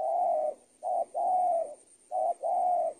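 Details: Spotted dove tutoring audio for training birds: rich mellow coos in a short-long pattern, a long note then two quick pairs, close and clear.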